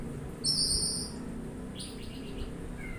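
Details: Oriental magpie-robin making a loud, harsh buzzing rasp, then a fainter stuttered buzz and a brief thin whistle at the end, over low background hum.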